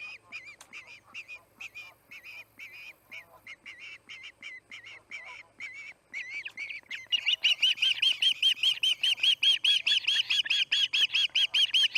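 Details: Osprey at the Charlo nest, August 8, 2018, 5:30pm MDT: softer, uneven chirping notes with clicks for several seconds, then a sudden loud burst of rapid, harsh, repeated screaming whistles to the end.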